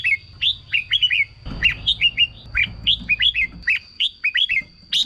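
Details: Caged red-whiskered bulbul song played to stir up other caged birds: steady run of short, bright, down-slurred whistled notes in quick groups of two or three, with a soft rumble of background noise.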